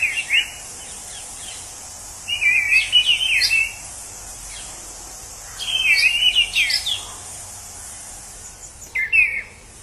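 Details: Wild orange-headed thrush singing in its natural habitat: short bursts of varied, slurred whistles and warbled notes, falling then rising, phrases separated by pauses of a few seconds, over a steady high hiss of insects.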